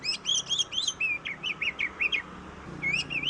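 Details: Oriental magpie-robin singing as a lure to get other birds singing: a fast series of short whistled notes sliding up and down, about ten in a row, then a brief gap and more rising whistles.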